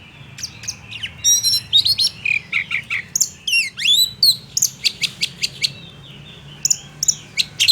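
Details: Oriental magpie-robin song meant to rouse rival males to anger, with sharp rising and falling whistles, clicks and chattering notes in quick bursts, a short pause near the end before more high notes.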